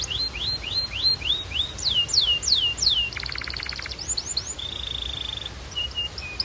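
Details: Belgian canary singing: a run of rising whistled sweeps at about four per second, then long descending slurred whistles, a rapid buzzy rattle, and a steady high whistled tone with short trills.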